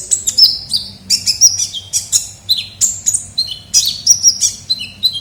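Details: Ninja sunbird (kolibri ninja) calling as a trapping lure: quick sequence of high tinkling chirps and brief downslurred whistles, varied in pitch, steady pace.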